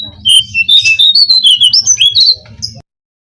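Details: Brown-cheeked fulvetta lure song: a lively sequence of bright, high whistled notes, alternating level tones and upward-sliding slurs, delivered quickly for under three seconds over faint low knocking.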